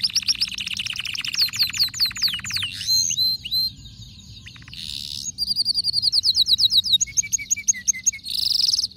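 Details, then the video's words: Agitated male canary singing fast tours of sharp descending notes, broken by short pauses, then a bright rattling trill and a high sweet ending phrase. "هيجان ذكرى كناري سيجبر كناريك على التغريد فورا"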